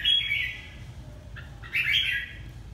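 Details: Red-whiskered bulbul from Ha Tinh, Vietnam, uttering a short bright chirp, a pause, then a louder buzzy warbled phrase.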